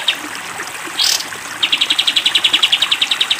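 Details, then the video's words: Sooty-headed bulbul in a training recording for cage birds, long 'tembak panjang' style: a brief upward sweep, then after a pause a fast, even trill of sharp high notes lasting almost two seconds, over faint steady background hiss. "masteran kapas tembak panjang"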